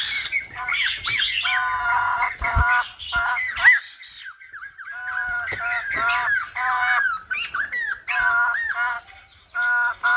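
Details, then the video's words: Silver-headed babbler giving rich, harmonic, nasal squawking phrases, interrupted by bursts of sharp clicks and rattles, with short pauses between phrases. "Khướu Đầu Bạc / Silver -headed Babbler / Singibg like aLumba Dancer"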